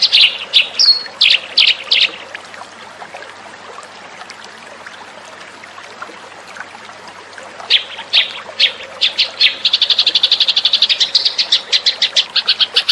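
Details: House sparrow lure call: a few sharp chirps and a thin whistle, a long quiet stretch, then chirping returns and builds into a fast chattering run.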